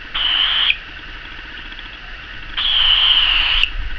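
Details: Cockatiel (Nymphicus hollandicus) whistled song: two clear, sustained whistles, the second longer and gently falling in pitch.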